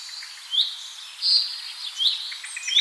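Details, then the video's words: Songbirds in nature: a steady bed of thin, high twittering, broken every half second or so by louder, quick upward-sweeping whistles and a short buzzy trill. "صوت العصافير ولا أروع"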